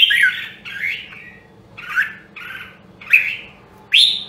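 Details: Red-whiskered bulbul of the rare Nam Đông, Huế line, trained for song, gives six separate short phrases, husky and slurred, some ending in a clear upward whistle, spaced by brief pauses over low hum.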